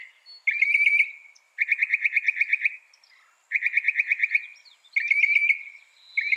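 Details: Northern mockingbird (Mimus polyglottos) singing loud, fast trilled phrases near the upper-middle range, each buzzy rattle repeated in four bursts of about one second, separated by short pauses.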